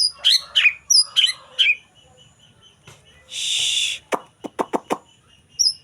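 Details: Young wild-caught white-rumped shama: a run of high, sharp whistled notes, then a brief hissing burst and a series of rapid dry clicks, a final thin whistle at the end.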